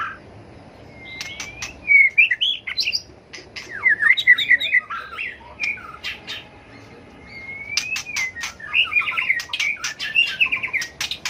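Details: Tail-flicking white-rumped shama in fighting song meant to excite rival birds: smooth rising whistles leading into quick warbled trills, with many loud sharp clicks scattered through.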